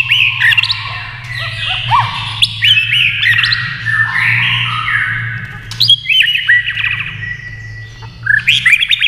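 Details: White-rumped shama singing against a TV. A dense, varied torrent of whistles, harsh squawky notes and sliding tones, with clicks and rapid trills, over a steady low hum.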